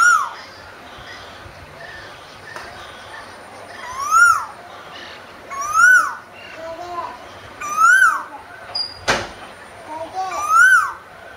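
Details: Singing Asian koel repeating an arched, clear whistled note about every two seconds, five notes in all, each swelling upward then dropping; one sharp click midway and soft background murmur.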